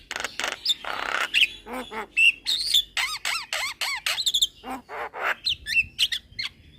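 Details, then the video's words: Young Javan myna singing hard while bobbing its head, a fast stream of clicks, harsh rasps and bright whistled notes, some rising and falling, delivered in tight sequence with barely a gap. "Burung Jalak Kebo Muda Gacor Manggut - Manggut"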